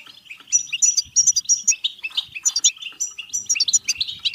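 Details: Energetic bitbita song from a European goldfinch, aimed at stirring goldfinches to song and mating: rapid tinkling chirps, doubled bright notes and liquid trills crowded tightly together.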